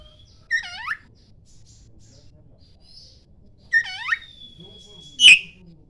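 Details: Oriental magpie-robin of the poci type singing in the morning, used as a lure to prompt other magpie-robins to answer: two bursts of rapid descending harmonic sweeps, a long steady high whistle, then a sharp explosive chip.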